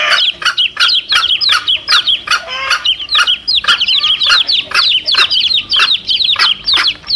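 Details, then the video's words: Chicks and their mother hen, calling to lure wild male junglefowl. Dense, continuous high peeping with many short, overlapping chirps several times a second, and occasional lower notes beneath. "SUARA ANAK AYAM DAN INDUK NYA"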